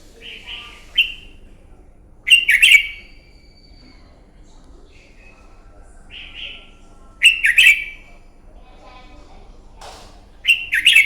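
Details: Morning fighting song of a newly caught red-whiskered bulbul, used to train and stir birds into singing; brief rich whistled phrases, some with a trailing high whistle, come every few seconds over a quiet background.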